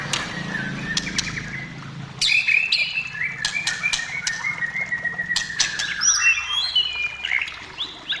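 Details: White-rumped shama song meant to coax shamas into singing: varied whistled phrases with one long, gently falling whistle and crisp clicks, over a faint low hum at the start.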